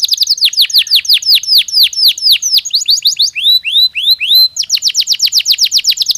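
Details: Canary song meant to help birds get ready for the mating season. Rapid trills of sharp, high descending notes repeat many times per second, shift briefly to slower upward-curving tours, then return to a fast, bright rolling trill.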